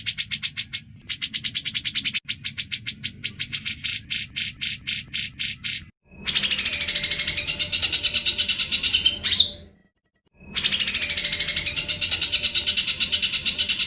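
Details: Grey-cheeked bulbul singing energetically, recorded as tutor song for other birds: rapid clipped chip series giving way to long, rich, buzzing trills separated by short silences.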